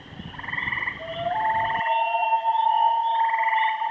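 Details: Kennebec common loons giving a long, pure, sustained wail that holds steady for over two seconds, overlapping rapid quavering tremolo calls at start and end; low rumble fades out early.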